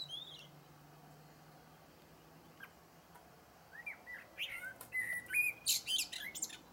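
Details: After a quiet start, a blackbird bursts into a phrase of melodious whistles and dense high chattering twitters in the second half, over a low constant hum.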